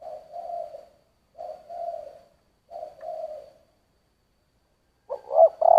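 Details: Spotted dove singing giọng thổ style coos: three soft, even, low coos spaced about a second apart, then a louder, broken double note starting a fuller phrase.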